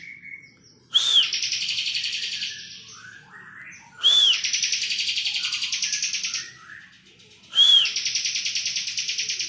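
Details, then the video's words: Three ngebren phrases by a vigorously singing Bar-winged prinia, each starting with a sharp arched whistle and running into a long, fast, insect-like buzzing trill, repeated about every three seconds. "ciblek kristal gacor full ngebren"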